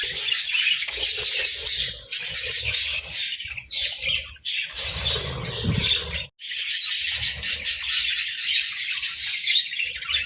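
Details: Budgerigars sunbathing, giving dense, continuous scratchy chatter with harsh squawks and high chirps layered together, briefly pausing about six seconds in before resuming just as busily; soft flapping or rustling underneath.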